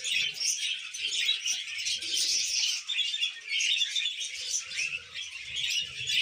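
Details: High, scratchy chirping and warbling from a group of pet budgerigars being tamed runs without pause, with brief low bumps and possible wing flutters underneath.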